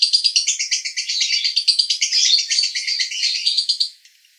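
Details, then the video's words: Male lovebird, Cibinong, Bogor, in konslet roda gila song: a fast rattling high trill of tightly packed chirps lasting about four seconds, then stopping abruptly into quiet. "Master Lovebird Jantan Konslet RODA GILA"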